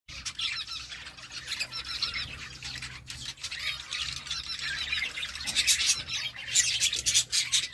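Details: Budgerigars in a colony, many voices chattering at once: continuous high warbling, squeaky twitters and scratchy chirps overlapping throughout, growing louder and busier toward the end, with a faint low hum underneath.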